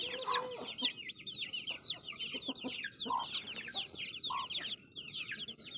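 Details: Baby chicks chirping in a crowded chorus of high, quick, falling peeps, joined by a few short lower calls at intervals.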